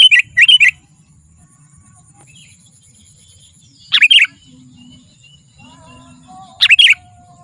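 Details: Sooty-headed bulbul singing energetically, a recording meant for calling wild bulbuls and training caged ones: three short bursts of quick, liquid chirps spaced a few seconds apart, with faint thin tones between them.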